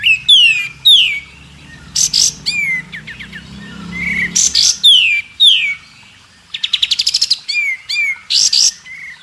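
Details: White-rumped shama training song for other birds to learn: varied high whistled notes sliding downward, sharp broadband chips, and a rapid ticking series, with faint low background rumble.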